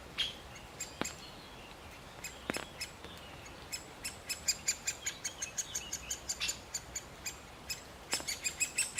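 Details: Male great spotted woodpecker calling while feeding its chick: a few scattered sharp ticks, then a fast run of crisp, high, clipped notes repeated several times a second toward the end.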